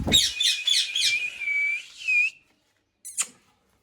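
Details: Parrot in its natural voice: a burst of rapid warbling chirps runs into a long, steady whistled note with slight wavering, then falls silent before one short sharp squawk.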